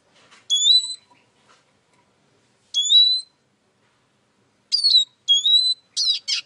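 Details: Eurasian siskin calling with rising high whistles, two spaced notes followed by a quicker cluster of three more ending in a buzzy twitter.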